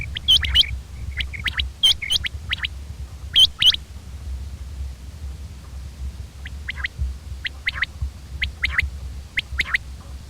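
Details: Common quail giving clipped, high notes in tight clusters of two or three during the first four seconds, then quieter, softer repeated notes spaced irregularly until the end, with a low background hum.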